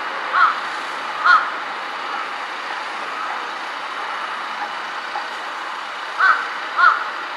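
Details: A large-billed crow perched on a power line, switching between call types, gives four short, hoarse caws: two close together, a pause of several seconds, then two more, over a steady hum of traffic.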